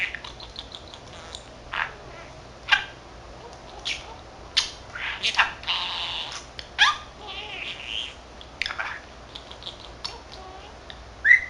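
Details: A 13-month-old male budgerigar chatters to himself and mimics Korean and Japanese phrases. Ticking clicks and rapid warbling syllables, then louder burred phrases and sharp chirps spread over several seconds, otherwise quiet.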